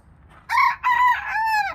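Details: Young rooster crowing in the morning in a backyard flock in Hudson, New Hampshire, late September 2022: one short three-part cock-a-doodle-doo, a rough first note, a steady second, and a longer drawn-out final note.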